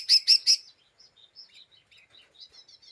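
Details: Agitated lesser green leafbird call used to provoke other birds: three loud harsh bursts followed by a string of soft, varied whistled twitters.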